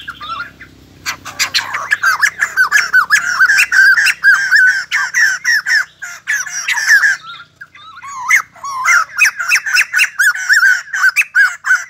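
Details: ['White-crested laughingthrush singing as it dances; after a quiet low hum, a rolling, raucous chatter of sharp squawks fills the rest, pausing briefly before resuming.']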